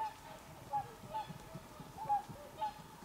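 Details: Swans recorded on 24 December 2020: a few clear, trumpeting honks, each brief and slightly falling, spaced irregularly about half a second to a second apart above a low background hum.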